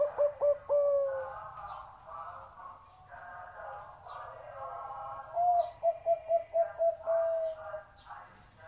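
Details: Big-voiced zebra dove singing: clear low tonal cooing notes, first a short drawn phrase, then after a pause a rapid run of about eight staccato, evenly spaced notes, over a steady murmuring background hum.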